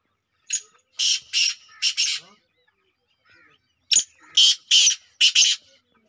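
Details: Black francolin, kala teetar of a Kabootra Sheedi cross line, gives two harsh, grating phrases of four or five rasping notes each, the two phrases separated by a pause of about one and a half seconds.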